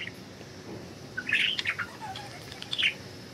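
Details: Budgerigars flying free, giving a quick run of bright, scratchy chirps that rise and fall, followed by a softer warbled note and one last sharp chirp over a low background hiss.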